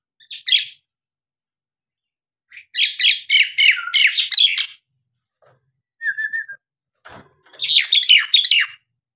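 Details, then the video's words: Nias hill myna in energetic song used to goad reluctant birds: loud harsh, chattering bursts in rapid clusters, a brief clear whistled note mid-way, then another fast run of rasping, squawky notes. "jalak nias gacor!! buat terapi jalak nias bahan atau yg malas bunyi agar gacor kembali"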